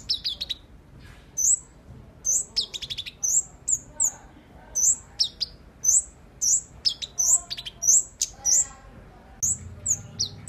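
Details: Captive flowerpecker, tame and in full voice, giving a rapid series of piercing high-pitched tsip notes, roughly two or three per second, broken by a few short buzzy trills near the start, against a quiet background.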